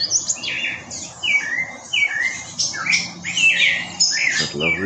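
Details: A Spectacled Thrush sings short, varied whistled phrases, bright and slurred, roughly every second among other dawn-chorus birds. Green-rumped parrotlets chatter mildly, and a brief voice is heard near the end.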